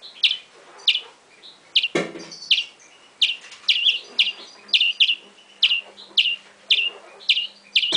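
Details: Nestling European greenfinch calling for food, a steady series of high, clipped downslurred chirps roughly every half second, with a brief thump and rustle partway through.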